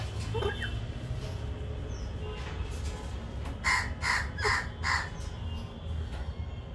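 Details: A galah from a breeding pair gives four harsh, grating screeches in quick succession, roughly half a second apart, over a steady low background rumble.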